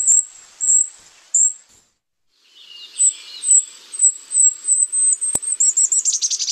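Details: A Golden-crowned Kinglet, a Lake Tahoe bird that tends to stay high in the trees, sings very high, thin, lisping notes, spaced at first, then quickening into a run that ends in a lower tumbling chatter.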